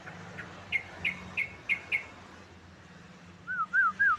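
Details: Yellow-vented bulbul song played to prompt other birds into singing: five crisp downslurred whistles spaced about a third of a second apart, a pause, then three looping, wavering notes, with steady low hum beneath.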